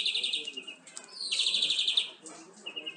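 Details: European greenfinch song used for tutoring captive birds: a soft trill, then a sweeping rising note leading into a long, fast, rattling trill lasting nearly a second, fading into quieter trilled notes.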